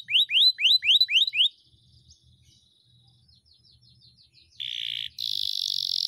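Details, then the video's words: Canary tutor recording with long rolling song: five loud upward-slurred whistles in quick succession, a quiet faint passage, then two steady, intense buzzing tours. "masteran kenari gacor,gacor (durasi) panjang ngeroll"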